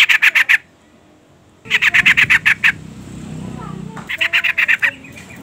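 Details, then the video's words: Female sooty-headed bulbul calling for a male: three runs of loud, evenly spaced harsh chattering notes, with a low background murmur between the second and third runs. "suara panggilan trucukan betina EMOSI gacor pancingan bunyi burung trucuk jantan"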